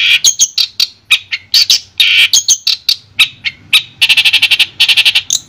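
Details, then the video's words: Long-tailed shrike, Madura type, master recording: harsh scratchy squawks mixed with chips and whistles, then a fast buzzing trill. "Suara Jernih Masteran Burung Cendet Madura"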